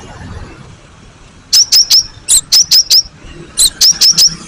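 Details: Cinereous tit lure recording meant to make young and old birds answer: after a quiet start, clear high sharp notes repeated rapidly in two runs of four or five, evenly spaced, over low background hiss.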